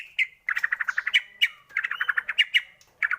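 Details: White-rumped shama lure song for coaxing shamas into singing. It holds rapid chattering runs of harsh, even notes in quick bursts, separated by brief gaps and an occasional short whistle.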